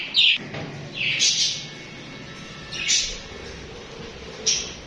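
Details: Chirping budgerigars kept as pets give four separate scratchy high chirps roughly a second and a half apart, with a faint low murmur in the background.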